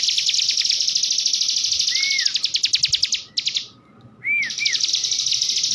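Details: Canary-style master song of a common iora, meant to get young birds singing: fast high chattering trill with clear rising-falling whistled slurs, broken by a brief silence before the trill resumes.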